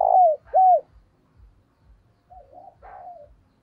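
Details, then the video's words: Decoy spotted dove calling to attract other doves: two strong low coos with downward slurs, then softer, more distant cooing notes over faint regular low knocks. "Chim Cu Mồi gáy gọi & tiếng cu mồi thúc bổi"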